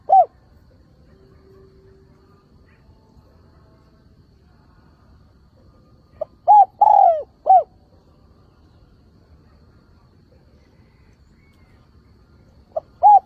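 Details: Lure call of a decoy spotted dove meant to bring wild doves in. A long quiet stretch, then one four-part phrase of soft note, coo, drawn falling coo and closing coo, with fragments of others at the edges.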